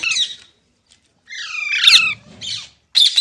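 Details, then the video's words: Short sequence from a green parrot, or mitthu: a brief raspy note, a longer drawn-out grating squawk, and a final sharp shriek. "Green Parrot Talking Natural Sounds | Mitthu Ki Awaaz | Tote Ki Awaaz"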